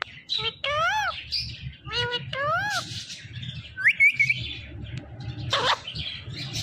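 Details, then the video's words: Pet parrot, a female, playing with her best friend: several wavy, arching, speech-like syllables, a high rising squeaky note, and scattered chirps and clicks. "my talking mittu ❤️ || talking parrot || Parrot talking"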